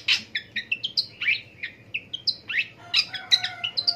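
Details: Morning vocalizing of a long-tailed shrike (pentet): a varied run of short whistled and slurred notes at changing pitches, quick and mimic-like, over a faint low hum.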